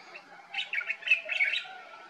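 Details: Common bulbul (Pycnonotus barbatus) in Morocco in summer, calling in the morning: a quick run of bright, chattering notes bubbling up and down over about a second, with a faint hum underneath.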